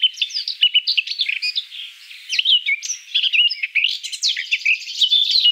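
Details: Eurasian Blackcap singing a continuous, rapid chattering warble of mixed scratchy and sweet notes that builds to a denser, brighter run toward the end.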